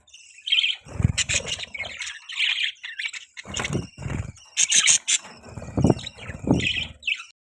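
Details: Chirping of pet budgies, several scratchy twittering bursts and squeaky notes separated by short silences, mixed with dull low knocks and rustling from nearby movement.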